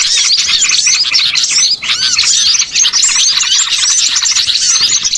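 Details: A noisy small-bird flock in a catching lure: rapid overlapping twitters and squeaky chips fill the whole stretch, with one short lull near the middle.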